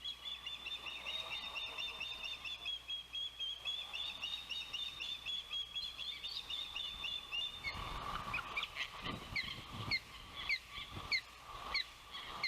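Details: Osprey at a Savannah nest, June 12, 2021, windy day of the oldest chick's first fledge; a thin sustained high whine gives way to sharp, rapid whistled chirps, with gusts of wind and rustling.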